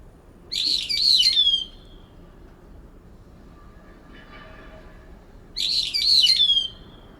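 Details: Two brown-eared bulbuls disputing territory in a cherry tree in late September, the resident bird calling over a rival to drown out its song; two loud shrill, squealing bursts about five seconds apart, with quiet faint chatter between them.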